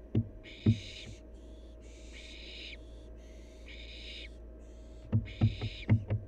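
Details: Wild barn owl fledgling during playtime: rasping, noisy hisses of about half a second, around six in quick succession, spread by irregular gaps, with loud thuds and scrabbling knocks at the start and end, steady background hum.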